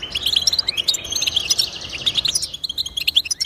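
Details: European goldfinch singing, for stimulating pet goldfinches. A lively, liquid burst of quick chirps and slurred trilled notes pours out continuously, then ends in a few sharp separate tweets.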